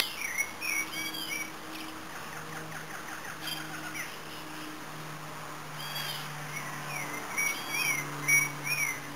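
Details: Red-crested finch (Coryphospingus cucullatus) giving thin, high chirps and short slurred whistles with a brief buzzy trill, over a steady insect hiss and a low hum.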